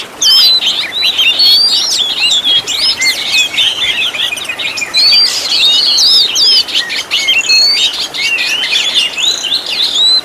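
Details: Master recording of Oriental magpie-robin song packed with luxurious fill-in phrases for training songbirds: a continuous, dense torrent of rapid whistled slurs, chirps and trills, swooping up and down without a break.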